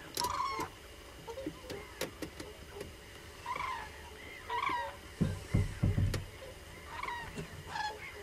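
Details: Many common cranes calling together: loud, ringing trumpeted notes with rich overtones, given in uneven bursts through the recording, overlapping one another, with low thumping and rumbling noises around the middle.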